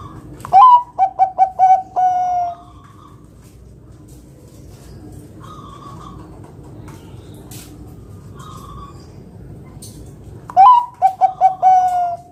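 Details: Two bouts of zebra dove song about ten seconds apart, sung to lure other doves into singing: each an upswept opener, a quick run of short coos and a long held final note, with faint distant bird calls between.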